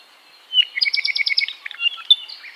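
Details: ʻApapane, a native Hawaiian honeycreeper, singing: a slurred opening whistle, then a fast trill of about seven paired high chirps, ending in scattered sweet notes, with a quiet background.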